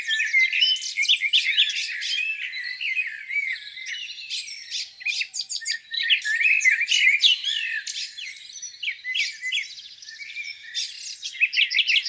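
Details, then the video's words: Songbirds singing on a spring morning by a lake: dense overlapping chirps, trills and whistled notes, several birds at once, with no other sounds. "Singing birds, beautiful lake view on a spring morning."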